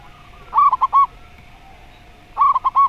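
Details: Zebra dove (perkutut) singing in the slow-voiced style, set against a spotted dove; two short bursts of clipped, staccato cooing notes, each a quick run of three or four even-pitched coos, separated by a pause of over a second.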